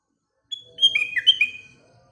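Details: Sooty-headed bulbul singing in the morning: a single rich phrase that opens with a sharp note, then runs through slurred whistles that rise and drop, lasting about one second.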